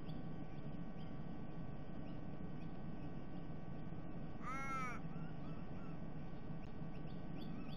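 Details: A raven, one of three raiding a sea-eagle nest to eat the unhatched eggs while the female was away early in the morning, gives a single harsh, drawn-out caw midway. It sounds over a steady low roar of wind or distant rumble.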